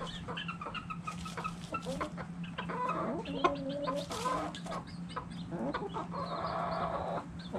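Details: Several chickens and roosters dirt bathing, giving short, soft clucks and murmured notes in quick, irregular bursts throughout, with scratchy rustling from dust and scratching and a steady low hum underneath.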